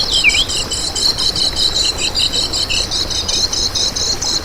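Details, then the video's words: Lemon-bellied white-eye song recorded to lure and train other birds: a short down-slurred whistle, then a steady, fast, high-pitched chattering trill running throughout, with faint background noise. "Masteran Kecial Kuning Untuk Pancingan n Pikat Sangat Bermanfaat Untuk Burung Kecial Gacoran Ngejos"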